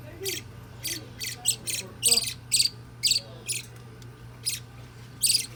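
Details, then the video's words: Baby budgerigar, nine days old, making a rapid series of harsh, breathy chirps about twice a second, irregularly spaced, over a constant low hum. "Cute Baby Budgie, 9 Days Old Baby Budgerigar/Parakeet Parrot Bird"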